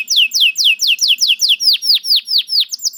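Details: Canary, described as a lazy singer that starts up right after hearing another canary's song, gives a run of sweeping downslurred whistled notes, about four per second, then slower, deeper-dipping slurs.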